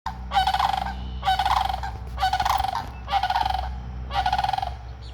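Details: Sandhill cranes calling, apparently unhappy about something, as a duck approaches: five loud, rolling, rattling calls, each about half a second long and repeated roughly once a second, over a low steady hum.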